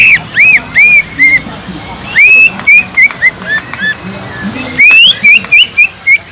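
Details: Greater green leafbird song used as a lure for leafbirds lacking aggression: varied arched whistles and high chips in irregular bursts, with loud rising whistled phrases near the end.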